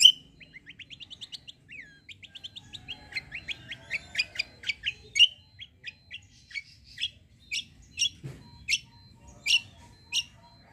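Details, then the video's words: White-eye (kecial) combo song: an accelerating run of high rising whistled notes, then a long series of sharp, bright chirps spaced about every half second, with a soft low thud midway. "KECIAL KOMBO CUCAK KOMBO FIGHTER GACOOR"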